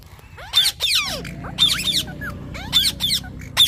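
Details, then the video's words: Parrot giving loud, scratchy chirps with curved notes that sweep down, in separate bursts with short pauses, over a faint low hum. "Parrot Chirping Sounds"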